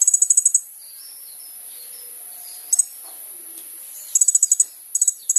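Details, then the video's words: Kolibri ninja sunbird in lively song for luring other birds: quick trills of five or six very high, sharp ticking notes, a brief double note, then more trills in close succession near the end. "SUARA BURUNG KOLIBRI NINJA GACOR"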